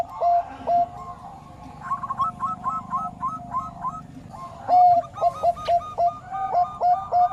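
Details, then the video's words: Bangkok turtledove song of quick, clipped coo notes in rhythmic bursts. A higher, rapid chatter of repeated notes runs through the middle section, and some faint musical-sounding tones lie underneath. "𝗦𝗼𝘂𝗻𝗱 𝗼𝗳 𝗕𝗮𝗻𝗴𝗸𝗼𝗸 𝘁𝘂𝗿𝘁𝗹𝗲𝗱𝗼𝘃𝗲"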